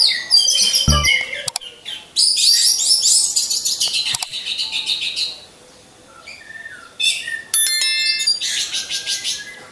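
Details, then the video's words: Caged orange-headed thrushes hung side by side, their song serving as a lure. Long stretches of loud, high, scratchy warbling with rapid repeated notes, a few sharp clicks and knocks, and a quiet lull midway. "Pancingan Burung Anis Merah"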